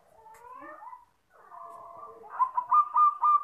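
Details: Local zebra dove, perkutut, cooing a master song meant for luring birds: soft, wavering opening notes, then a quick series of louder whistled coo pulses at a steady pitch.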